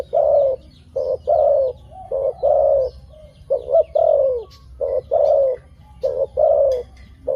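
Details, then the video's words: Dove cooing steadily: short clipped coos alternate with longer, mellow, slightly falling coos, about one phrase per second, with soft faint chirps above and a low rumbling background. "Good sound dove.Bunyi merpati yang bagus"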